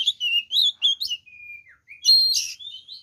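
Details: Oriental magpie-robin singing to provoke rivals, with clear sweet whistles, a long thin level note sliding down, then a harsh burst followed by a bright whistled phrase.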